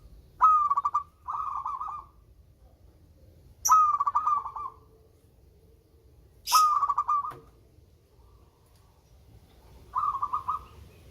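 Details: Melodious local zebra dove giving five stuttering phrases of quick cooing pulses, spaced roughly two to three seconds apart. Short high hissy bursts from other sounds appear twice.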